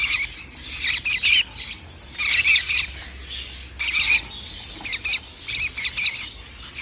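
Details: Young lovebirds calling, 11 January 2025: loud rasping, squawking bursts at irregular intervals, some long and some clipped, separated by short quieter pauses with a faint background hum.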